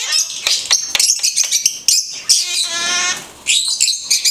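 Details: Blue-headed conure giving fast, scratchy high-pitched chatter with rapid clicks and chirps and a brief voiced, speech-like phrase partway through.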